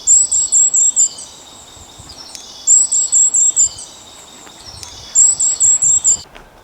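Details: Goldcrest (Regulus regulus) calling: very high-pitched, thin little chips in quick runs of six or seven, each run repeated about every two and a half seconds.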